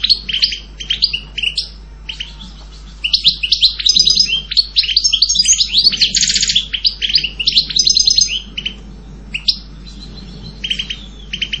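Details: Extended European goldfinch song: scattered bright chirps, then long bursts of rapid tinkling twitters and buzzy trills, easing back to spaced single notes toward the end.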